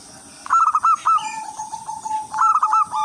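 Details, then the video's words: Local wild zebra dove singing vigorously, a melodious lure song for other zebra doves: two rolling, bubbly cooing phrases of quick pulsed notes, joined by a long steady hum-like tone, over a constant high hiss. "perkutut lokal alam gacor irama merdu jadi pancingan semua perkutut"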